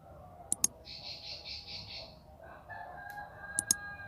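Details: Bar-winged prinia singing a single burst of rapid buzzy pulsed notes lasting over a second, with sharp clicks before and after and a faint steady tone in the background.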